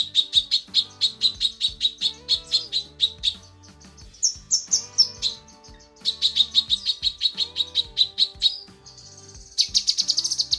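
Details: Cucak kinoi female calling for a male: long runs of evenly spaced, high chirps, broken by brief squeaky higher phrases and ending in a harsh, buzzy burst. Soft sustained low tones sit in the background.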